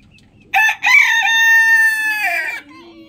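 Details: A rooster crowing in the morning gives a single clear, ringing crow: two quick opening notes, then a long sustained harmonic tone tailing off after about two seconds, with quiet surroundings.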